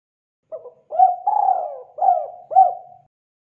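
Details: Spotted dove lure call: a faint double opening coo, a strong hoot, a long rolling coo that sinks in pitch, and two brief falling coos closing the phrase, with quiet surroundings.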